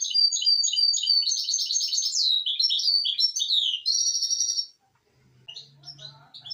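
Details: Misto hybrid canary tutor song for teaching young birds: a rapid, varied song of high chirps, trills and slurred notes for nearly five seconds, then fainter distant chirps and a low hum.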